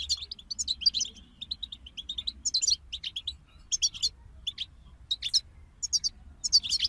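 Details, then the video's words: Lively European goldfinch group song of rapid, tinkling chips and short buzzy flourishes, arriving in quick bursts with small pauses, steady high twittering throughout over faint low rumble. "King of Songbirds Goldfinch Group"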